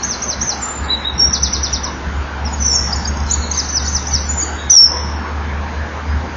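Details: Eurasian wren singing from a hole in the middle of a nesting wall at 18:29 on 11 October 2011; bursts of rapid, high trilled phrases follow one another, over a steady low hum.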